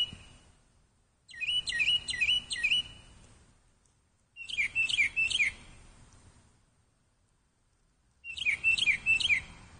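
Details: A bird calls in three bursts about three seconds apart, each a quick series of four or five sharp, high, slurred chirps, over a soft low background hum.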